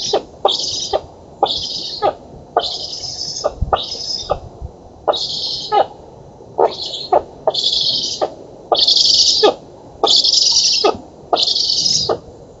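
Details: Nestling black storks in an oak nest in Poland begging while being fed, 11 August 2017: about ten rasping, hissy bursts, some short and some longer, coming irregularly roughly every second, with faint clicks and knocks between them.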